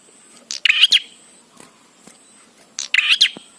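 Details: A bar-winged prinia gives two bright, rasping chirp phrases, more than two seconds apart, with quiet gaps between. The song is played to train prinias to sing.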